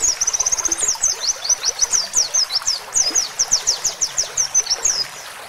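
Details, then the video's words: Oriental white-eye singing roll tembak with canary-style fill-in phrases, used as training audio for songbirds: a long, very high, rapid series of chattering trills and sweeping whistles that stops abruptly near the end. "PLECI ROLL TEMBAK ISIAN KENARI"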